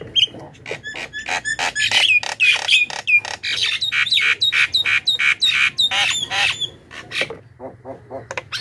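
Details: Javan myna lure sound meant to draw wild birds: fast run of loud, grating squawks with short whistled overtones, roughly three per second, ending in quieter clipped chattering notes.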